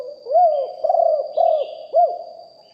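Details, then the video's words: Spotted dove decoy bird with a deep voice, cooing in a live recording: four mellow, humped notes, the second and third longer and steadier, the last clipped short, with a thin high hum throughout. "นกเขาใหญ่คับ birds - Ep 1 เสียงต่อนกหลิ่วห้อย เสียงใหญ่#2 & 4กุกห้อยเสียงใหญ่ บันทึกเสียงสด"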